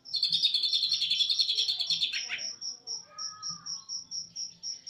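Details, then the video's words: Greater green leafbird, East Java type, opening with a two-second stream of rapid, shrill twittering in cililin-style phrases that drops away into softer slurred notes, while high pips repeat steadily. "Burung cucak ijo jatim tembakan cililin"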